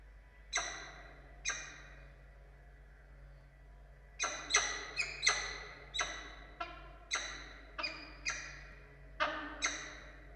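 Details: Wild peregrine falcon pair at Orange, Australia, on 02/08/2022, meeting as the male brings a prey gift to the female: harsh, rasping calls with falling tails, two spaced calls then a quick irregular series of about ten.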